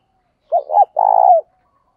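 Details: Spotted dove training call meant to stir wild doves to answer: two quick hooked notes run straight into a long, rich, vibrating coo that falls at the end. Otherwise silent.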